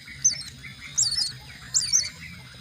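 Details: Nestling mynas being fed: three short, shrill, scratchy squeaks spaced about three-quarters of a second apart, with soft lower chatter and a constant low hum beneath.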